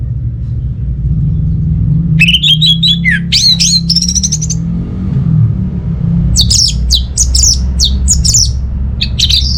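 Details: Orange-headed thrush song meant to prompt quiet cage birds into singing: quick slurred whistles and chattering phrases, then a run of sharp upslurred notes, with constant low background hum.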